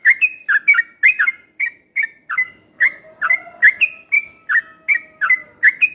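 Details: Lure recording of a Sooty-headed bulbul singing vigorously in slow rolling bursts, meant to provoke other bulbuls into agitated song: clipped bubbly whistles repeated steadily, with a faint lower hum in the background midway.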